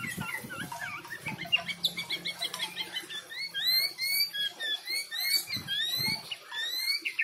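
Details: White-rumped shama pouring out a fast, varied song of repeated short whistled slurs and trilled notes, building into a dense run of rising high phrases, with some low knocks at the start.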